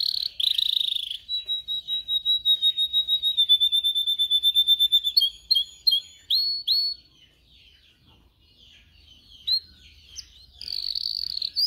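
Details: Canary singing, meant for teaching canaries their song: a buzzy trill, then a long series of evenly pulsed whistled notes speeding up, followed by upswept chirps and a closing rolled trill.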